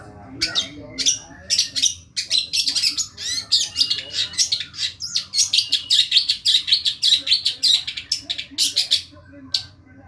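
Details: Masteran song of a long-tailed shrike: a dense, rapid, scratchy chatter of harsh clicks and buzzy notes, nearly continuous for ten seconds, over a steady low humming background.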